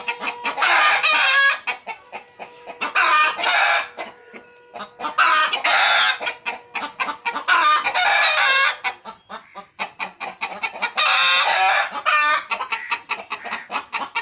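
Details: Several bouts of loud cackling from pet chickens kept at home, each burst broken up by trains of rapid short clucks, with a faint steady hum at times.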